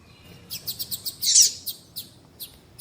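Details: Double-collared seedeater sounds used to excite males before song tournaments: a quick series of thin, high chirps with one louder, rough burst in the middle, then sparse chirps.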